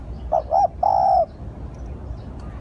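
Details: Lure call of a spotted dove: a single phrase of two brief coos leading into a long, even, hollow coo, then quiet hiss.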